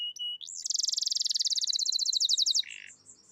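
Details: Canary singing loudly: two short whistled notes, a sharp upward sweep into a fast, steady high trill of many repeated notes, ending with a brief buzzy burst and soft chirps.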